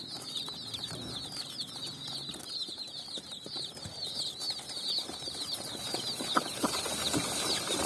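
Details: A flock of colour-dyed chicks running on sand at evening: rapid high chirps dominate the first half, then grow fainter as rustling noise rises toward the end.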